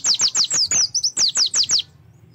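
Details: Oriental white-eye lure phrase played to start birds singing: about ten crisp, high whistled notes, each dropping in pitch, delivered evenly at a quick pace within two seconds.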